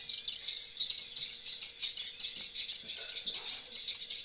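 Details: Swiftlets returning to their nest house indoors: a dense, continuous chatter of high, rapid chirps and rattling twitters, overlapping without pause, with a faint low hum underneath.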